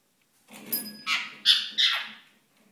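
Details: Ringneck parakeet courting indoors, giving three loud, buzzy, harsh squawks in under two seconds over a faint room hum.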